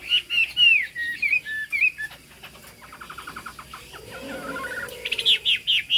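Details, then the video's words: Chinese hwamei singing in the high 'cao cầu' style: loud slurred whistles, rising and falling, in quick phrases, then a quieter stretch of softer repeated notes and faint lower sounds before bright whistling returns. "Họa mi hót cao cầu"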